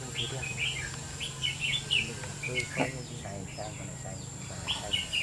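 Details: Red-whiskered bulbul in a 2019 song contest against many older birds: short, bright warbled phrases repeated in quick bursts, with a man talking quietly and a steady background hum.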